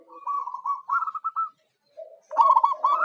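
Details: Local zebra dove sung as a lure for wild birds: a sustained purring coo rising into quick rolling notes, a short low note, then a brighter burst of trills.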